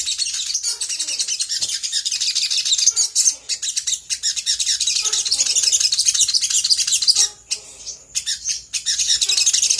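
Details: Sooty-headed bulbul song used as a lure to make other birds answer, in the lively gacor konslet style: dense, rapid high chattering and twittering with occasional lower whistled notes, nearly continuous with brief pauses.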